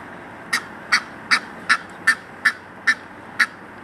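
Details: Egyptian goose calling at the Virginia Zoo: eight short, harsh, nasal honks in a steady series about 0.4 seconds apart, over a faint background hiss.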